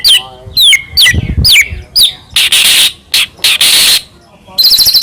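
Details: White-rumped shama, Medan type, singing a lure song meant to provoke other shamas: sweeping whistled notes dropping in pitch, then loud harsh rasping bursts and a closing rapid high trill.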